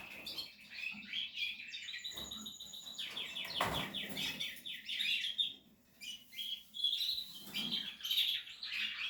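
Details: Breeding Portuguese harlequin canary at nest-building time, singing a long varied phrase of rapid repeated rolled notes, buzzy trills and clear whistles, rising and falling, with a short quiet gap near the end.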